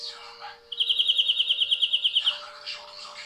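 A European greenfinch gives a bright, even trill of about fifteen quick notes over a second and a half. Softer bird chatter comes before and after, over a faint steady hum.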